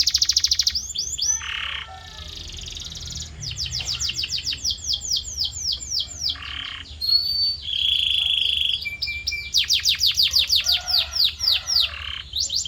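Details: Canary song tutor audio for training a canary's voice: varied phrases mixing fast falling sweeps, buzzy trills, short mid-pitched bursts and sustained high whistled notes, changing every few seconds.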